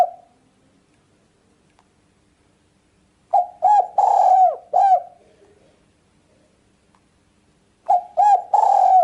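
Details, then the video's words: A spotted dove recording used for luring and hunting birds. Two cooing phrases are separated by several seconds of quiet. Each has short, throaty notes around a longer purring coo and ends with a softer falling note. "Mp3 burung tekukur ampuh"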